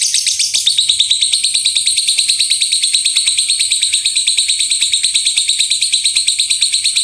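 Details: Lovebird in a loud 'tembakan' song used to train other birds: an unbroken rapid stream of shrill, high chattering notes, about three per second, almost merging into a continuous buzzy trill.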